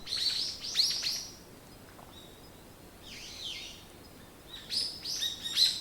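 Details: Morning birdsong with high chirping phrases at the start and at the end. A softer, lower warbled note sits in the quieter middle, over light background noise.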